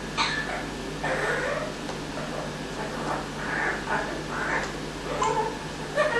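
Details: Pet Amazon parrot indoors giving an evil laugh it picked up within a week in a temporary carer's home; harsh, breathy bursts repeat roughly once a second in an uneven, cackling series over a steady low room hum.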